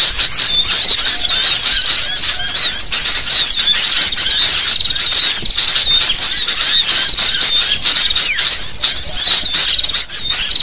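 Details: Busy, noisy sooty-headed bulbuls used as a bird-catching lure: a thick, steady wall of shrill chirps, squeaks and rapid whistles from many calling birds, sustained throughout.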